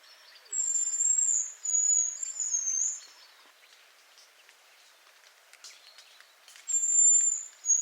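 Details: Hazel grouse in autumn near Yelno village, Novgorod oblast, Russia, 20 September 2018: very high, thin whistled phrases. A long drawn note breaks into wavering segments, then a second phrase follows after a pause, over faint background rustle.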